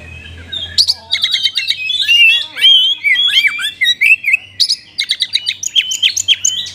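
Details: Energetic caged Oriental magpie-robin with a rich fill-in repertoire, used to spur sluggish birds into song. Sharp rapid trills give way to looping, slurred whistles rising and falling, then more quick repeated chips.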